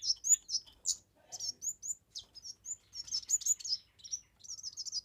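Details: Kemade bird singing energetically for use in masteran, luring and pancingan: a busy, dense run of high, sharp chirps and short whistled notes, with near-continuous phrases and a faint lower note near the middle.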